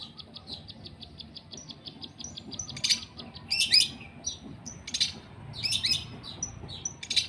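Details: Long-tailed shrike under sun and water spray opens with a fast series of thin ticking notes, followed by loud scratchy bursts and sharp chirps spaced a second or so apart.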